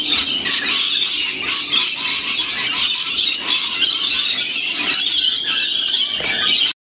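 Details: A huge flock of wild lorikeets at a winter feeding spot in the Blue Mountains, roughly 30 km from Sydney, Australia: constant piercing, grating screeches and twittering from numerous birds, ending abruptly.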